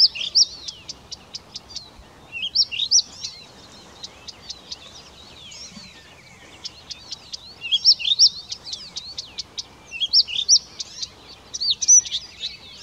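A Blyth's reed warbler sings a high, bright song of quick clicks, whistled slurs and short repeated phrases in bursts every couple of seconds, over faint background hiss.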